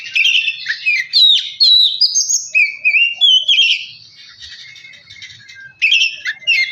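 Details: Oriental magpie-robin singing, used as a lure to spur another bird into energetic song: a varied, rich run of whistled phrases and sliding notes, some buzzy bursts, with short pauses between phrases.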